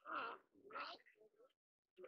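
Javan pond heron giving two harsh, rasping croaks about half a second apart, followed by a few softer, scratchy notes.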